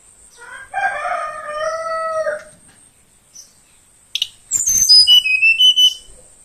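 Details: Morning song from a young Tledekan Kalimantan, wild-caught from forest and kept around two weeks: lower, drawn-out harmonic notes first, a pause, then sharp high whistles descending in a quick sequence.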